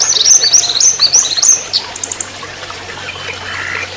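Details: Orange-headed thrush giving a fast burst of high, sharp chattering notes in the trotol style for about two seconds, then fading to a faint hiss with a soft low hum.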